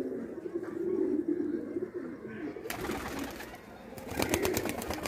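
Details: Indian kagzi pigeons frolicking: low, rolling coos for the first half, then a burst of sharp rattling clicks and flutter noise takes over.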